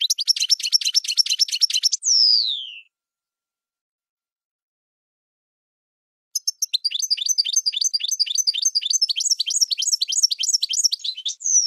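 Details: Goldfinch song: a dense run of fast repeated chirps ending in a downward-sliding whistle, silence, then another long stretch of lively rhythmic twittering.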